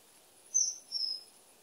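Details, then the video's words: Common kingfisher uttering a pair of sharp, very high whistled notes, the second slightly longer and lower, against faint background hiss. "The song of the Kingfisher"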